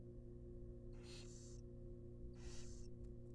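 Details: Two drawn-out, wheezy hissing screeches from wild barn owl babies in a nest box during a rabbit feeding, separated by a second and a half of low humming background.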